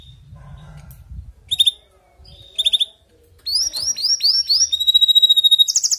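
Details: Canary song meant to stimulate weak singers: short chirp bursts separated by pauses, then rapid swept notes leading into a fast rolling trill and a high buzzy note.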